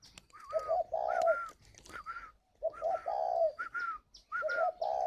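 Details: Two captive spotted doves at a bird farm in Ba Vì, Hanoi, northern Vietnam, giving 'gáy gọi' calling coos. Low rolling croo phrases overlap with a higher-pitched dove answering, phrases roughly every two seconds.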